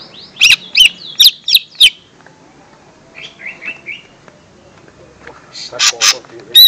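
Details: Lesser green leafbird lure song for young birds: five loud, sharp whistled notes about every half second, a soft trill of short notes, then scattered high chips.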